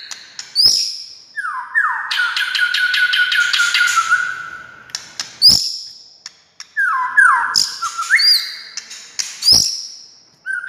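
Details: White-rumped shama singing, played to stir other shamas to answer: rich whistled phrases sliding down, a long fast ticking trill on a steady tone, then repeated upswept whistles and descending slurred notes separated by sharp clicks.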